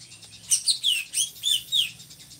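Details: Drongo, kept as a tutor bird for other songbirds in Indonesia and said to have a loud, monotonous voice: about five loud, harsh, high notes, each with sharp downward-sweeping parts, evenly spaced across two seconds.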